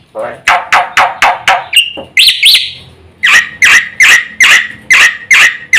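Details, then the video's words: Black-winged myna in fast full song, used as a lure for birds that have stopped singing; a run of loud harsh chattering notes, a brief whistled slur, then steady repeated buzzy strokes about three per second. "suara masteran jalak putih gacor full isian cepat untuk pancingan burung jalak macet bunyi"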